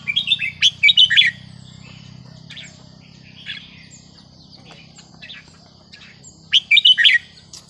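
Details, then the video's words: Small caged Vietnamese red-whiskered bulbul, aged 10-plus, singing in the counted-phrase (nap dok) style: a quick burst of bright, warbled whistled notes at the start, a long pause with faint notes, then another short lively phrase, over a steady low hum. "นกกรงหัวจุกเวียดนาม นับดอกตัวเล็ก"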